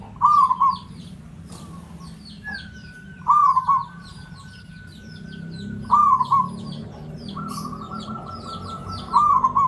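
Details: Lure song of a local Javanese zebra dove (perkutut): short rolling trilled coos repeated roughly every three seconds, four phrases in all, with long steady whistled tones and faint chirps from other birds in the background.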